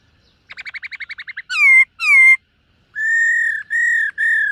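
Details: Black-throated laughingthrush at morning voice training: a fast ticking rattle of about ten notes, two loud descending slurred whistles, then three long steady whistles.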